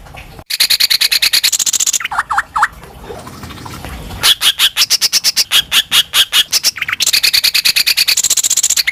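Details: Greater green leafbird singing in a lure recording meant to provoke other birds into singing: loud, harsh, rapidly repeated notes in long chattering runs, broken by a few short upward-sweeping whistles midway.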